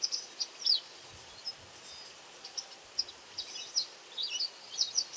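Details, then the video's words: Foraging white wagtail feeding on insects, calling with brief high twittering chirps, some slurred downward, spaced irregularly across the recording against a soft constant background hiss. "ハクセキレイの鳴き声 捕食しながら地鳴き?"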